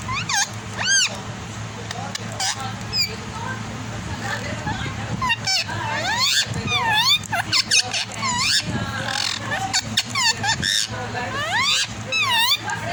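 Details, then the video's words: Parrot talking in rapid, speech-like bursts of arched, sweeping whistled syllables, some high and thin, others swooping down, packed closely over steady background hum and noise. "miya mithu 🥰❣🖤 (talking parrot)"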